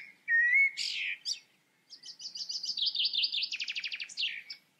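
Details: Common blackbird opening with a clear, low fluty whistle and a squeaky flourish, then a rapid, rhythmic series of repeated high chattering notes.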